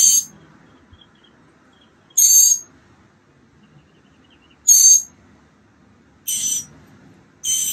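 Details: On March 28th 2022, day 15 of a nest project, mockingbird chicks close to flying produce five loud, scratchy, hissing bursts spaced roughly two seconds apart over near silence.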